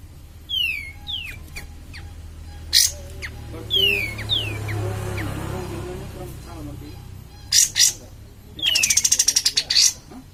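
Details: Cream-vented bulbul singing actively as a lure for other birds: repeated high descending whistles and slurred notes, sharp bursts, and a closing rapid chattering series of about a dozen notes, with low rumbling hum beneath.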